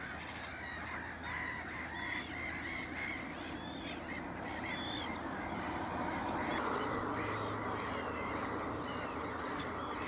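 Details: Black-headed gull parent leading chicks on Texel, Netherlands, at Ottersaat; grating, arched kree-type cries pour out quickly in the first half, then thin out into a busy background of distant gull voices.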